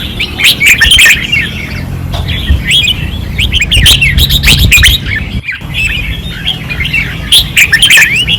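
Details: Several caged red-whiskered bulbuls at a training perch, Pattani, 2024, in fierce song: dense, rapid warbling and chattering notes in long bursts, one brief near-silent gap, and a steady low background hum.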